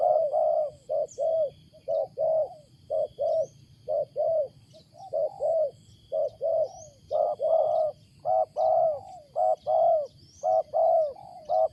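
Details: A wild spotted dove gives its loud, odd coo: steady series of short husky notes in pairs and triplets, later phrases rising in strength, with faint high chirping in the background.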